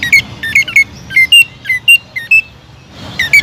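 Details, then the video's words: Greater green leafbird, a vigorous singer used to draw out other leafbirds, giving loud, bright whistled notes, some rising and some flat, about three per second, ending in a burst of higher chatter. "TEMBAKAN PEDAS CUCAK IJO GACOR BUAT MANCING CUCAK IJO LAIN AGAR JAMTROK"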